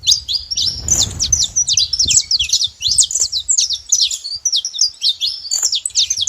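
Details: Several saffron finches calling at once: rapid jumbled high chirps and zigzag slurs, steady and crowded, with a brief low rustle early on.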